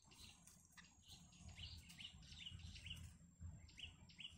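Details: At a nest holding chicks, a wild yellow bittern family gives short, high, down-slurred chirps in loose series, roughly two or three per second, above a low steady hum.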